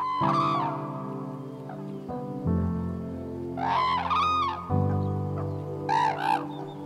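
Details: Red-crowned cranes in Hokkaido in mid-winter, at the start of courtship with advertisement calls and dances, give loud, ringing trumpets in three short rising-and-falling bursts over steady, sustained background music.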